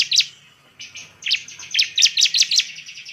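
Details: Bar-winged prinia, a hard-singing ciblek whose voice serves to provoke other birds: a brief buzzy note, then a quick series of piercing high chirps.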